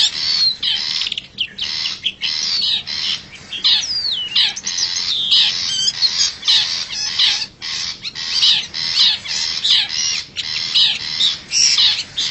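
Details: Wild forest long-tailed shrike lure sound. Loud, grating squawks alternate with some slurred, whistled notes in a busy, irregular sequence that continues throughout.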